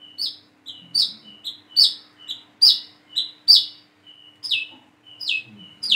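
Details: Young plain-throated sunbird learning to sing, used as a lure to prompt other birds: high sharp notes falling from about 5k, each with a short thin whistle before it, repeated roughly every 0.7 seconds.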